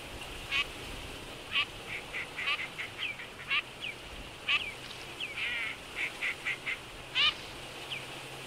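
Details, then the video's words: Wintering Eurasian teal in Absheron National Park, Azerbaijan, females constantly pinching each other while males stay calm; repeated short high whistled calls, some falling, about once a second, with several birds overlapping. "Чирок-свистунок на зимовке"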